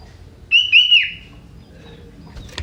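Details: Young wild sooty-headed bulbul whose song holds prinia (prenjak) elements: one loud, sharp whistled phrase of two quick bright notes sliding downward, then a short fading tail, with quiet background.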